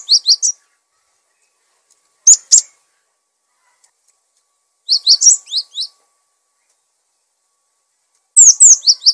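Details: Singing cinereous tit, recorded to tutor and lure other cage birds; clusters of fast, high, down-slurred notes, some phrases of five or six notes, broken by short and long silences, faint low hum behind.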